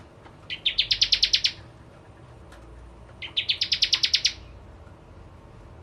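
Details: Bar-winged prinia (Javan prenjak) singing actively, used as a lure for ciblek kristal birds: two bursts of about ten rapid, bright, buzzy chip notes that climb slightly, separated by a pause, over a quiet background.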